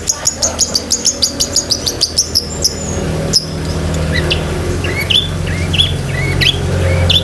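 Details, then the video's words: Long-tailed shrike singing busily with varied filler phrases, for training pet shrikes; opens with a fast, even run of about fifteen high ticking notes, then breaks into scattered rising and falling whistles over a low background hum. "BURUNG CENDET GACOR ISIAN SEKEBUN"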